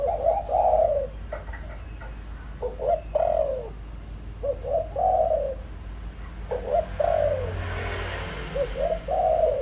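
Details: Decoy spotted dove giving urging coos to stimulate wild doves: four or five phrases, each a clipped note leading into a longer falling coo, with a brief hiss of background noise midway.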